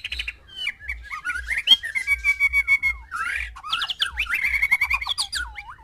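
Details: Male white-rumped shama with six hens, singing to bring on mating: varied whistled phrases, a long steady whistle, fast rattling trills and downward-swooping notes, with a faint low hum.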